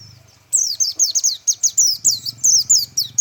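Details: Japanese white-eye singing in the tembakan style: after half a second of quiet, a rapid run of high, sharp, descending whistled notes, about a dozen quick bursts with short gaps, with faint low hum beneath.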